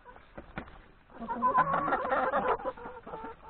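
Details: Yard flock of hens and three roosters at breakfast before grazing in the forest; scattered clucks rising into a loud burst of many birds clucking together.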